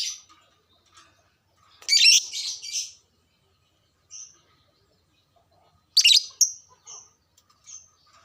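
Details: Caged lovebird, played so other lovebirds become excited and sing, gives two loud harsh chatter bursts several seconds apart with a few soft high chirps in between.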